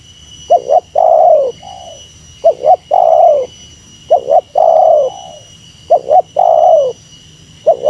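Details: Meratus lure call of a spotted dove facing a rival: two short coos, a long purring coo and a soft trailing note, repeated evenly, over a thin steady high tone.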